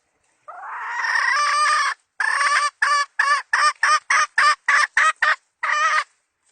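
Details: Decoy hen chicken from the 2020 season, used as a lure, giving a long drawn-out harsh call followed by a run of about ten loud, clipped clucks at roughly three per second, with a short pause before the last one.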